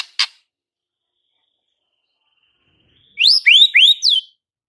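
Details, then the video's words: White-rumped shama, a frequently singing bird used to provoke fighter males into emotional response: a single sharp click, a pause, then four quick bright upslurred whistles run together near the end. "MURAI BATU FIGHTER akan TERPANCING EMOSI NYA dengan Murai Batu GACOR INI"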